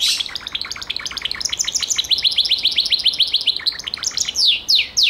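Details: Song of a Gloster canary, kept as a cage bird: a fast, dense run of high chirping notes rolling into a trill, ending with a few loud downward-sweeping whistles.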